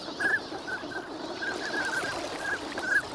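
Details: Ducks wintering at Lake Inawashiro, Nagahama, recorded in the morning in fine weather; a few brief nasal calls, some sharply inflected, spaced across a few seconds over low background hiss.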